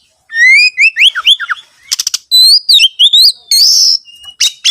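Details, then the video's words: Lure song of an Oriental magpie-robin, meant to make other birds sing. Rising clear whistles and quick slurred notes run into rasping buzzy bursts and a long wavering whistle, one phrase after another. "PANCINGAN SUARA BURUNG KACER//ISIAN ISTIMEWA SUPER GACOR BIRUNG KACER"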